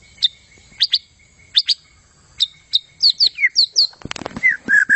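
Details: White-rumped shama gacor song: spaced sharp high chips, some doubled, speeding into a quick descending series, then a fast chatter and lower whistled notes at the end.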